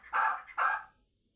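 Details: Chukar partridge in Qabodiyon: two harsh, hoarse clucking notes in quick succession, the second starting half a second after the first, then silence.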